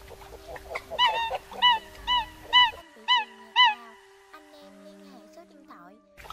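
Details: Eurasian coot lure recording for night net-trapping of migrating coots, mimicking a flock calling and treading water: five loud, short, nasal honks about half a second apart, then quieter electronic-sounding tones and a low hum.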